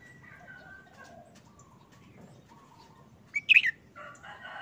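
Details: Red-whiskered bulbul kept in a cage, uncovered again after over a month of moult, sings one brief burst of sharp, warbled notes late on, amid faint distant tonal calls of other birds.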